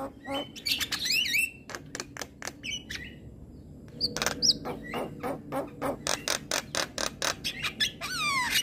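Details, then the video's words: Javan myna in morning song: rapid clicks and rattles mixed with whistled glides that rise and fall, then a long run of evenly spaced sharp ticks. "Suara Kicauan Jalak Kebo pagi Hari"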